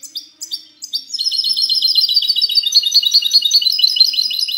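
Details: Singing goldfinch hybrid in the 'cante limpio' clean style, 19 March 2020: a few separate high chips open, then rapid, bright trilled phrases run continuously at high pitch.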